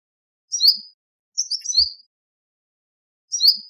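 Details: An olive-backed sunbird (Cinnyris jugularis) from a pair raising a family at a nest in Malaysia, December–January, gives three thin, high, sharp chirps, the middle one doubled, about a second apart, in a quiet background.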